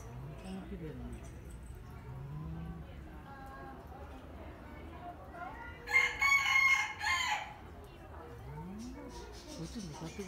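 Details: Displaying peacock with its fan kept open lets out one brief, blaring, strained cry in the middle, while people chat softly before and after it.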